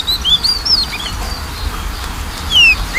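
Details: Oriental magpie-robin song used as a lure for a bird that is lazy to sing: a few scattered clear whistles, some rising and some falling, separated by long quiet gaps over steady low background hum.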